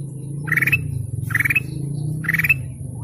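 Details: Golden canary uttering three short buzzy chirps, about one each second, over a constant low hum.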